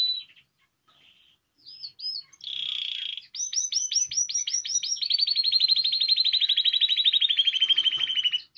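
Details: Singing Spanish timbrado canary, recorded for song training: scattered notes and a buzzy burst, then falling whistled strokes. These merge into a long fast rolling trill that drifts lower in pitch.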